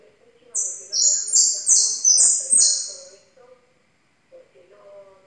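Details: A yellow European goldfinch, described as new, gives a quick run of bright, tinkling, slurred notes, about three per second, over a low background voice.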